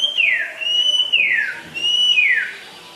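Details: White-rumped shama from West Aceh, noted as rare and a prolific singer, giving three pure whistled notes in about three seconds. Each holds steady, then slides smoothly downward.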